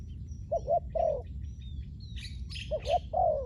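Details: Spotted dove used as a lure for wild doves on the ground, giving two brief paired coo phrases, short hoot then a longer falling note, with sharper chirps from another small bird between them.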